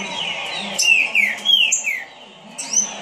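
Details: Trinca-ferro, or green-winged saltator, delivering fast song: quick slurred whistles sweeping down and up, bright high accents between phrases, brief gap near the end before another note begins, faint background hum.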